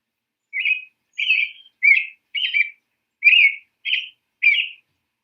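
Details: American robin singing around Boston: seven short, slurred whistled phrases in a clear caroling series with small gaps, each phrase sliding slightly down, on a quiet background.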